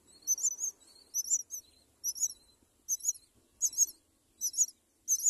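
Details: Myna birds raising four chicks in a nest; high, harsh double squeaks repeat in regular short bursts, each a scratchy rising-falling chirp, against near silence.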